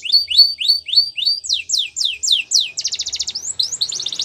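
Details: Canary in the wild: a steady run of about ten clear swooping whistles, then a fast buzzy trill and a closing rolled phrase, high-pitched and loud.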